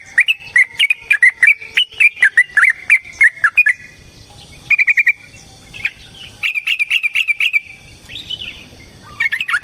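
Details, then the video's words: Yellow-vented bulbul pouring out a long fighting song to provoke rivals into singing. Rapid bubbling chatter breaks into short separate bursts, with a loud descending note at the end. "Suara Burung TRUCUKAN gacor TARUNG ROPEL PANJANG pancingan trucukan agar JADI trucuk gacor EMOSI"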